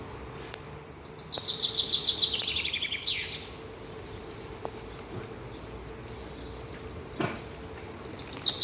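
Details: Morning birdsong: a small bird gives a rapid, high, downward-sliding trill ending in an upswept note, then a pause with faint clicks before the start of the next phrase.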